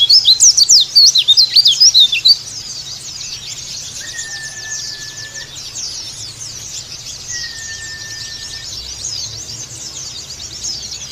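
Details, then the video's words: Bali dakun (dakbal) white-eye used as a lure and therapy song. A loud burst of rapid, high, jumbled twittering opens, then fades into a softer continuous chatter with two long, flat, steady whistles. "KICAU PLECI DAKUN BALI ATAU DAKBAL"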